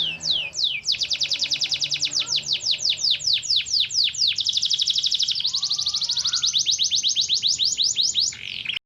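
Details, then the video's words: Parisian frill canary singing; long rolling trills of rapid, high descending notes, several per second, shifting speed partway through, with a soft low chirp in the background. "كناري مفتل فريزي باريسي"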